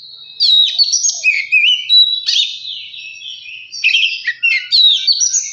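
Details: Song of an Oriental magpie-robin, used to coax a lazy bird into singing; varied loud whistled phrases with sharp chips and buzzy trills, delivered almost continuously after a quiet start.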